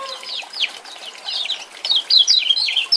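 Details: Lemon-bellied white-eye male, Lombok voice, used to coax a silent bird into song: a run of thin, high downslurred chips that builds to a louder, rapid flurry of piercing notes near the end.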